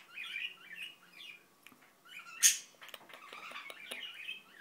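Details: Indian ringneck parakeet, a pet, mumbling: rolling, throaty chatter in short phrases, broken by one sudden sharp click-like burst midway, followed by more quiet garbled muttering.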